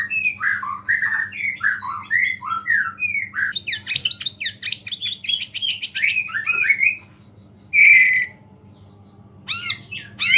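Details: White-rumped shama, murai batu, singing to rouse other shamas: rich rolling whistles, then a fast chattering run of sharp high notes mimicking small birds, a loud clear whistle, and scattered high chips.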